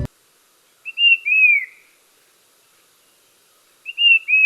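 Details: Brown-capped Babbler, a Sri Lankan endemic, at Castlereigh Reservoir, Hatton, gives a clear, high whistled phrase of a few short notes and a longer slurred note, repeated after about three seconds of quiet.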